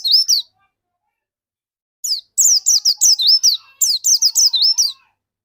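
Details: A dakun white-eye singing eagerly, its song used to lure other white-eyes into song. A brief chirp is followed by a long run of high, wavering, twittering notes after a two-second silence.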